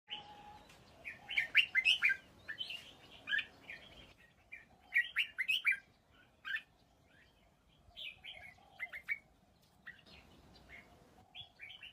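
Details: Red-whiskered bulbul singing: loud bursts of bright, warbling whistled phrases, several quick notes each, delivered in groups separated by short pauses, over a faint steady low hum.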